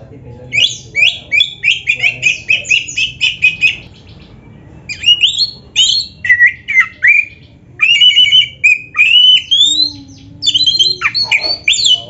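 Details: Oriental magpie-robin singing hard with mimicked phrases, played to make another magpie-robin answer: a long string of rapid repeated chips, then grouped bursts of whistled and rattling notes separated by short pauses.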